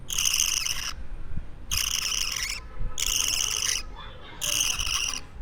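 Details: Young budgerigar chick, two weeks old and hand-kept, gives four long rasping, buzzy screeches of about a second each, spaced by brief pauses, over a faint low indoor hum.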